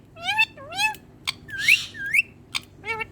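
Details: Indian ringneck parakeet, green and hand-tame, vocalizing into a mirror: repeated rising harmonic whistled notes, interspersed clicks, and a brief raspy burst mid-sequence.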